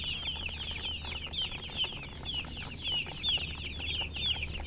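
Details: Chicken chirping, a hen giving silly chirping sounds: dense, high, quavering chirps repeated roughly once a second in uneven bursts, with low steady hum underneath.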